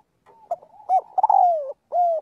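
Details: Spotted dove calling the flock during daily voice practice. Soft murmured notes build into stuttering coos, then a long mellow coo glides downward, capped by a sustained gently falling final note.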